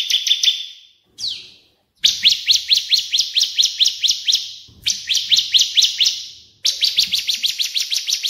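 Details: Digital tutoring track pairing cililin and ciblek (AK47) for songbird training: quick chirps, a short downward-slurred note, then rapid rolling series of bright, slightly rising chirps, stopped and restarted abruptly several times.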